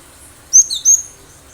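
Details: Wild-caught cinereous tit singing eagerly, its song used to lure other birds into responding: two loud, high, sharp whistled notes in quick succession, with a softer note between them.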